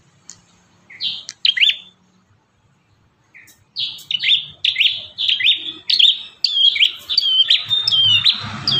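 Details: Bar-winged prinia singing lively, a song variation meant for training caged birds: a short burst of bright chirps, a pause, then a rapid run of rising, ringing notes that grows into a dense trill.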